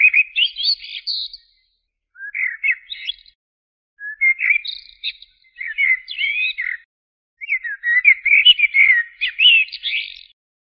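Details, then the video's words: Common blackbird, known locally as jahmoumiya or zaryab, singing a run of five rich phrases: flowing mellow whistles, each finishing in high, squeaky twitters, with short silences between phrases and nothing else audible. "تغريد طائر الشحرور جحمومية الزرياب Turdus merula"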